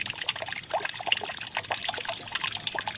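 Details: White-eye decoy song meant to make a bird start singing: a steady run of very high, quick chirped notes, about six per second, evenly spaced throughout.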